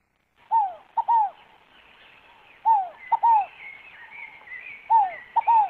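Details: Scaled dove (Columbina squammata) song: three phrases of a brief note and a falling, hollow coo, about every two seconds, while another bird's thin high chattering runs in the background.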